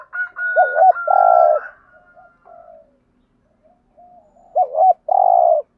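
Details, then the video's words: Spotted dove cooing to stir up other doves: short looped coo notes, then a longer hoarse coo, a pause, and the same phrase again, with a steady thin whistle-like tone over the first half. "Tiếng chim cu gáy kích bổi hiệu quả[ tiếng THÚC GÙ + GÁY GỌI ] Tiếng cu cườm gáu bài bản"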